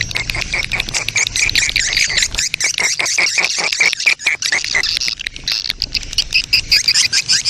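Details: Breeding-mood swiftlet colony calls, a recording meant to draw swiftlets in: rapid dry clicks repeated many times a second under a steady wash of high twittering chirps.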